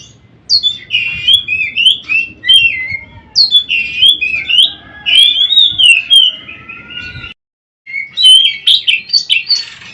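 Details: Oriental magpie-robin (kacer) song from daily mastering audio: bursts of loud whistles and harsh squeaky notes over ten seconds, a sudden silence near the end, then more sharp chirps and whistles.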